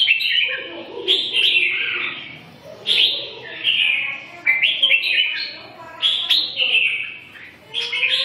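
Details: Red-whiskered bulbul giving loud, cheerful warbles of rolling whistled notes in phrases about a second long, with softer lower chattering and twittering in the background.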